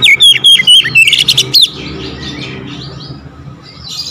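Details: Oriental magpie-robin singing energetically once prompted: about a second and a half of quick, high, sharply slurred whistled notes, then the song stops, leaving low rumbling background noise.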